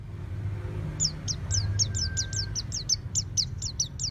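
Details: Caged oriental white-eye at home in ngeplong song: a steady series of thin, high downslurred notes repeated about five times a second over low rumbling background noise and a faint steady tone.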